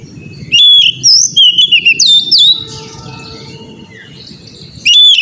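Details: Oriental magpie-robin, as a training recording to make an untrained young bird sing freely: a fast string of bright whistles and chirps for two seconds, a fading tail, a quiet gap, then a new loud phrase.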